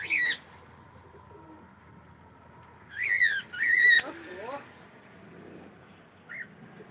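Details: Cockatiel giving a few loud, harsh, rising screeching calls in a burst, then a falling note and a short faint chirp near the end.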